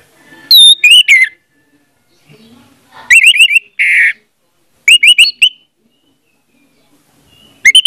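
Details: Orange-headed thrush, song used as a lure to make a silent bird sing: groups of ringing whistled notes, one harsh buzzy burst, then more quick repeated phrases after short pauses.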